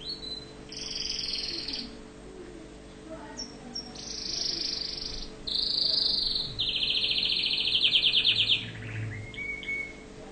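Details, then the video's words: Orange canary from Tunisia singing a tutoring song: bright high trills and rolling tours in bursts of one to two seconds, with short pauses between phrases, over a faint steady hum. "Chant canari tunisien"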